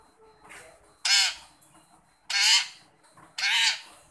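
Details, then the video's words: Long-tailed shrike calling to a shy shrike to get it to call: three loud, harsh, rasping broadband notes, each about a quarter second long, spaced roughly a second apart over quiet background. "Burung pentet memanggil untuk pentet yang malu bunyi"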